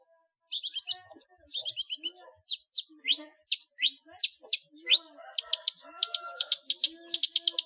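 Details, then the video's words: Long-tailed shrike song in full, varied style for tutoring caged birds: rapid chattering bursts, then loud rising sweeping whistles, then fast clicking high notes, with a faint steady tone and soft background noises. "SUARA BURUNG CENDET NGEPLONG FULL ISIAN UNTUK DIJADIKAN MASTERAN ANDALAN"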